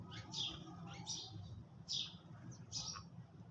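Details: Sparrows eating in the early morning give repeated sharp chirps, several per second at times, with short gaps, over a low continuous background rumble.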